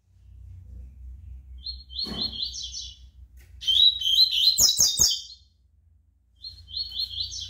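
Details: Brown-plumaged ("pardo") double-collared seedeater (Sporophila caerulescens) singing bright, fast, high-pitched phrases of buzzy twittered notes in bursts separated by short pauses, with a low hum beneath.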